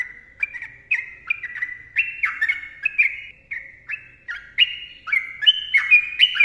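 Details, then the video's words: Rapid bubbly song of a sooty-headed bulbul, a steady run of short warbled whistles stepping up and down in pitch, roughly two notes per second, no other sounds. "TRUCUKAN GACOR ROPEL PANJANG MBONANG SUARA RAPAT"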